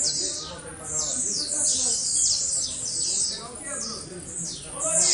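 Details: Captive blue-black grassquit singing frantically, giving high, buzzy, down-slurred notes repeated rapidly about twice a second, while human voices murmur underneath.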